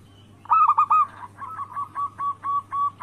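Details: Local zebra dove in anggungan style, as a lure to make rivals call: a loud triple coo opening, then a slower, evenly spaced series of softer cooing notes about three per second, low hum beneath.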